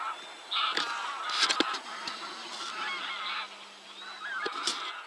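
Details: A busy flock of Northern lapwings at 52.198011, 19.790611 gives nasal, wheezy calls that slur up and down and overlap in a chorus, with a low steady hum underneath.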